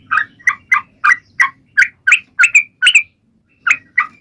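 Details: Sooty-headed bulbul singing vigorously to draw other birds into song: a fast series of sharp, bright chirps, a short pause, then two more notes, over a faint low rumble in the background.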